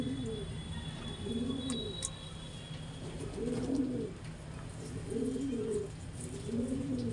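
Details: A pigeon coos repeatedly while mating, a series of low, warbling, bubbling phrases that rise and fall, coming roughly every second, with faint clicks and steady low background noise.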